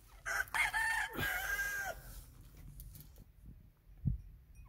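Grey francolin gives a loud, harsh, ringing burst of rapid screechy notes lasting under two seconds, then fades into quiet background with a soft thump.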